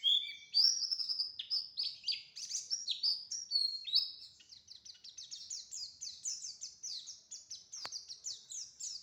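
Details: High twittering ngriwik ngebren song of a prenci white-eye: rapid chirps and warbled trills running together without a break, about two notes a second in the steadier later stretch, with one brief click.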